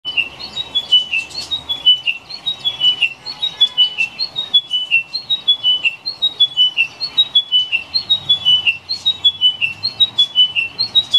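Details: A chiming wedgebill sings at Currumbin Wildlife Sanctuary on 14 May 2016, repeating a short phrase of bright, descending notes about once every second or two, over a faint background of other birdsong.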